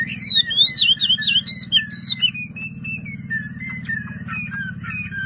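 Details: Chinese hwamei kept by a bird hobbyist, pouring out clear fluting whistles that glide up and down, then a long level whistled note and short chopped phrases, with a constant low mechanical hum behind.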